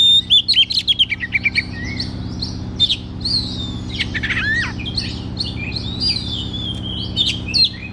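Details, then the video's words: Captive white-rumped shama performing as a lure for a reluctant singer: a quick stuttering series of clear notes, then sweeping slurs and softer warbled whistles, with a low background hum. "KACER GACOR TERAPI KACER MALAS BUNYI"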